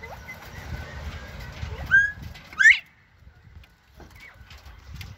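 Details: Northern bobwhite calls: two loud, sharply rising whistles close together, followed by faint scattered notes and low rumbling noise.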